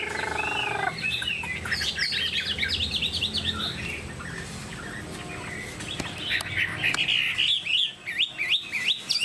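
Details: Chinese hwamei kept as a cage bird delivering rapid zigzag trills, phrases of fast up-and-down whistled notes repeated about three per second, broken by a short pause before another quick trilled burst.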